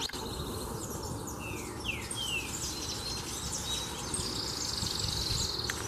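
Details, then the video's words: A Green-winged Saltator (trinca-ferro) sings a few clear, slurred whistles that sweep downward, then thin higher notes, over a steady rushing background noise. "Trinca Ferro de Canto Sou Terrível"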